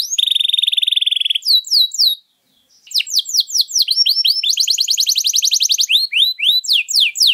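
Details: Canary with rich, extended song for prompting or tutoring other birds: a rapid buzzy trill, scattered sweeps, a short pause, then quick downslurred notes and a dense rolling trill.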